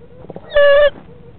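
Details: Barred owl at a nest box in Florida on 30 January at 19:33, with hatching due within a week, during a moth drop-off: one loud, steady, tonal hooting note lasting about a third of a second, with faint softer sounds around it.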